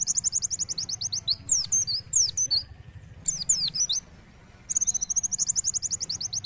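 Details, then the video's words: Oriental white-eye in full, lively 'gacor' song with sharp 'nembak' volleys: rapid runs of very high, thin, evenly spaced chirping notes, a pause of swooping whistled slurs midway, then the fast high run resumes, over a low steady hum. "Pleci Gacor Nembak Tajam"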